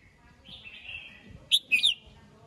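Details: Red-whiskered bulbul morning song, calling the flock: a faint thin whistle drifts along before a loud, quick, bubbling three-note phrase with sharp high accents.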